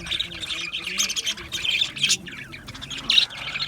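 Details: Budgerigars chirp in their aviary with short, bright, squeaky notes in loose clusters, some sharper peaks standing out, over quiet low background noise.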